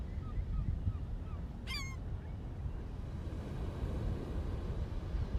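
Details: Gulls at Coney Island: faint calls come in a quick series, then one louder, harsh, falling squawk, all over a heavy roar of surf and wind.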